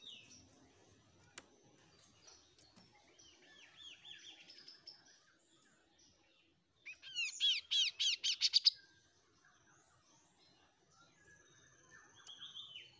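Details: Untrained Oriental magpie-robin just beginning to sing: scattered arched whistled notes and short phrases, then a loud burst of rapid, ringing, repeated notes lasting under two seconds, followed by quieter chattering phrases toward the end.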